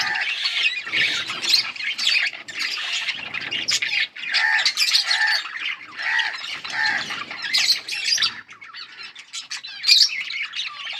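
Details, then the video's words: Chirping yellow budgies recorded August 20, 2024, their harsh squawks and grating warbles coming in rhythmic bursts about every half second, with tonal chirps woven through the flock's ongoing chatter. "Beautiful yellow budgies chirping sounds 💛 budgies talking"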